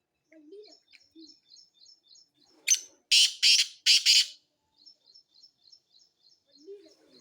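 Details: Black francolin calling: three loud, harsh, grating bursts close together in the middle, set against a steady run of faint, thin, high chirps from other small birds before and after.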